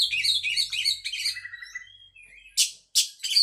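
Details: Oriental magpie-robin singing a rich, varied run of high chirps, trills and slurred whistles, then pausing before two sharp, harsh bursts near the end.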